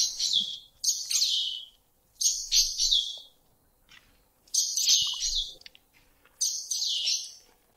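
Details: Kurrichane Thrush in Southern Africa gives high, shrill whistled calls that slide downward, repeated in short bursts about every second or two against a quiet background.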